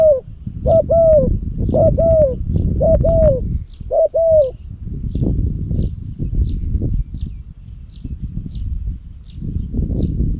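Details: Cambodian decoy spotted dove, a bird with a big, deep voice kept for luring. Over the first four seconds it gives paired, hooked coos, then falls silent. High, sparse chirps of other birds and a steady low rumble continue afterward.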